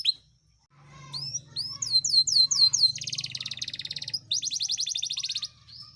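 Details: Yorkshire canary singing for encouraging idle canaries and mating: after a quiet start, curved whistled notes, then two long rapid buzzing trills; steady low hum in the background.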